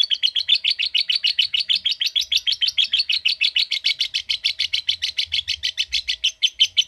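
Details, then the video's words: Lovebird in a long ngekek, 'ngetik' or typing style. Rapid, even rattling chatter of high, scratchy notes repeats without a pause for nearly seven seconds. "Love Bird Ngetik Cara Cepat Memanggil Love Bird Agar Ngekek Panjang"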